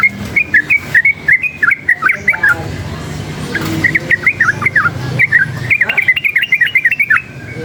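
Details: Sooty-headed bulbul roused by noise, singing in three bursts of quick, bright, rolling whistled notes, each burst lasting a couple of seconds, separated by short pauses with low traffic-like rumble beneath.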